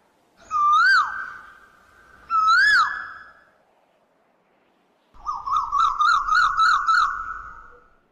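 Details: Koel calling: two loud, clear whistled notes, each swelling and rising, then a quick run of about eight bright notes repeated in a bubbling series. No other sounds stand out.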